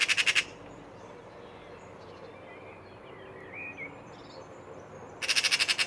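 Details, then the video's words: A Eurasian magpie taunts a cat in Île-de-France, France, April 2023. Two loud, dry machine-gun rattles of quick harsh notes open and close the recording, with faint distant birdsong and low background hum between them. "Pie bavarde narguant le chat"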